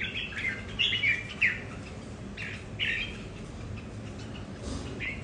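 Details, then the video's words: Home-kept red-whiskered bulbuls squaring off over territory; a few loud chirpy phrases early on, then sparser, fainter notes trailing off. "Những CB ở nhà so kè lãnh thổ, mỗi Cb mỗi nết khác nhau"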